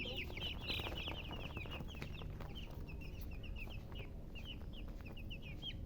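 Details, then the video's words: Chicken giving rapid high peeping chirps, over three per second and unevenly spaced, loudest at the start, against a low rumbling background. "silly chicken chirping sounds"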